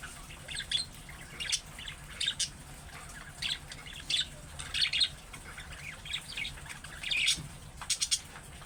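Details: Budgerigar chattering in the young birds' calling style meant to draw a reply from other budgies. Grating squawks and thin high chirps come in loose clusters, some overlapping, with a faint background hum.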